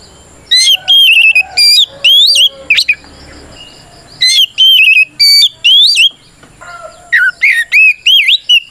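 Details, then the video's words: Oriental magpie-robin delivers a 'ngeplong' fighting song to provoke rival birds: bursts of loud whistled phrases with upward sweeps and warbled notes, separated by short pauses. "Suara Burung kacer gacor NGEPLONG tarung ini paling ampuh buat PANCINGAN KACER agar EMOSI Nyaut"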